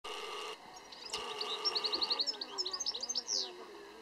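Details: European goldfinch at Cabárceno giving a quick, high, tinkling twitter of bright chirps, about four a second, with a steady hum and voice-like sounds at the start.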